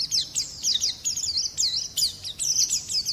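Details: Oriental white-eye song meant as tutor material and for luring birds: quick high twittering phrases of looping, slurred whistles, bursts separated by tiny gaps, with faint low background hum.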